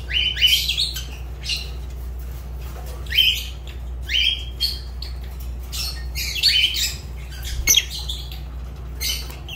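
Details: Fischer's lovebird calling in a string of loud, upward-slurred shrieks, sometimes doubled, with brief harsh chatter between and a faint background hum.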